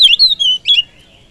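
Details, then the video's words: Brief oriental magpie-robin phrase meant to provoke other birds: a few loud whistled slurred notes, a pause, then one more sharp whistle, then quiet. "Pancingan kacer full durasi || SEKALI PANCING BURUNG ANDA LANGSUNG PANAS"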